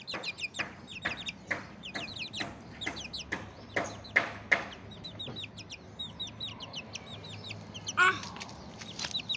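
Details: Ayam Bangkok game-chicken chicks out in the morning sunlight peep constantly in high, thin, downward-slurred notes.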